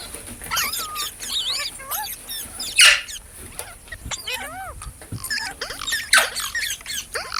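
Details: Parrot vocalising in a talking compilation: bursts of scratchy squawks mixed with arched and falling whistled notes, irregular and busy, with a louder harsh burst near the middle and again toward the end.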